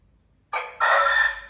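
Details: Chicken crowing, from a set of varied rooster crows: a brief opening syllable, a short pause, then a louder, longer, rich harmonic note held steadily to the end; faint low rumble underneath.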